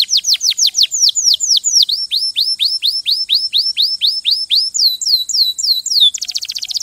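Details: Canary delivering a long run of rapid descending whistled sweeps, shifting into level, higher repeated notes and ending with a dense fine trill.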